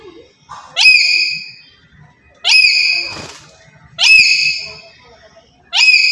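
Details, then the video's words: Black-capped lory used as a lure for catching birds, uttering harsh ringing upswept screams about every one and a half seconds, with a brief noisy burst between two calls. "Sekali Pancing Saja Langsung Burung Nuri Apapun Bunyi"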